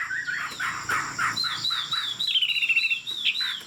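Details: Tame Chinese Hwamei singing from a high perch; soft low notes give way to a bright wavering whistled run and a quick trill of repeated notes, over a faint background hum.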